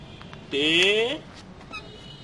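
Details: Pet parrot, one of two kept in a small cage, talking like a human: a single drawn-out, speech-like phrase with stacked harmonics lasting under a second, then a quiet room.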